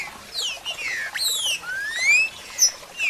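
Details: Green-winged saltator (trinca-ferro) singing loud, rich whistled phrases: clear downslurred notes, then a long rising whistle and a few sharp accents, with faint background hiss.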